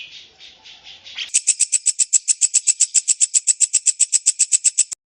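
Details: Lovebird song as a master recording for training young birds: a soft, rough twitter that jumps into a very high, evenly pulsed trill of about four to five notes per second.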